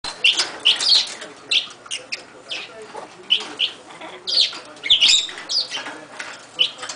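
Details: Pet umbrella cockatoo making a racket to get attention from an Amazon parrot that would rather play with a toy. Short, harsh, high squawks and chirps burst out in quick irregular runs, with softer chatter and rustling between them.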